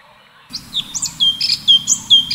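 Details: Cucak cungkok, the orange-bellied leafbird, in full tembakan continuous song. After half a second of quiet, bright piercing whistles and quick high chirps follow in a rapid string, with a low hum behind.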